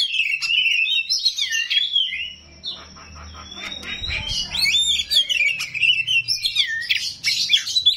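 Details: Oriental magpie-robin (kacer rawit) singing a varied, rich stream of whistles, slurred notes and harsh chatter, mostly high-pitched and quick-paced, with a faint low hum beneath; meant to provoke other magpie-robins to answer.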